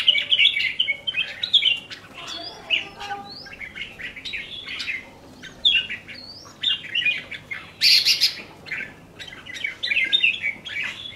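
Red-whiskered bulbul giving bright, bubbling whistled phrases in quick bursts every second or two, with sharper chirps mixed in and a faint background hum.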